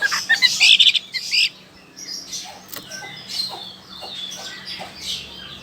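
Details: Chinese hwamei from Sokaraja, Banyumas, Central Java, Indonesia, a bird from China noted for its loud voice; a burst of harsh, dense chirping opens, then fades into softer scattered high chips.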